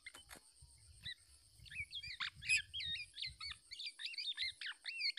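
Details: Black-naped oriole parent defending its chick from an attacking male trying to take the young bird. Bursts of short whistled and slurred notes jump between mid and high pitch, with a steady high hum underneath.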